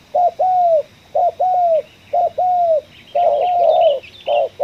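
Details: Spotted dove trapped in a coffee field, giving the ngeruk kuk 1 call. Brisk paired coos repeat roughly once a second, each a short rising note and then a longer gently falling note, with light chirps in the background.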